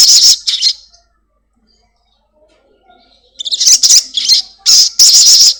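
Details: Caged Black-winged myna in full voice, recorded as a lure to prompt another caged bird to sing; two rasping screeches open, then a pause, then a run of loud, grating, buzzy bursts repeated in quick succession.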